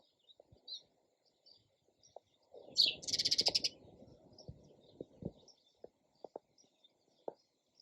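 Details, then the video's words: Sparrow chirping: scattered short, high chirps through the clip, with a dense burst of rapid chirps midway, over faint low clicks and taps. "SOUND OF SPARROW RELAXING CHIRPING SOUND."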